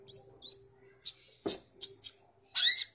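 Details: Long-tailed shrike (Lanius schach) from Bojonegoro in full active song: a run of short, sharp, high chattering notes, about seven in three seconds, ending in a harsh buzzy burst, over a faint steady hum.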